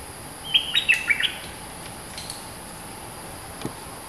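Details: A dominant, fierce local streak-eared bulbul gives one short phrase of about six rapid, sharp, warbled notes over about three quarters of a second. Constant high-pitched insect buzzing fills the background.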